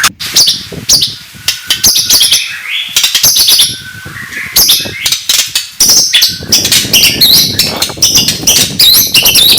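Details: Oriental magpie-robin morning song, said to provoke rivals: very high, rapid chattering notes and scratchy bursts, with some low background noise.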